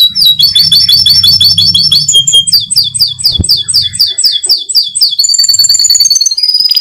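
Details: Loud white canary singing in 'gacor nembak' fashion as bait to draw other birds' responses: rapid repeated chirping notes, a run of bright down-slurred whistles, then a fast buzzy trill, with a faint low hum early on.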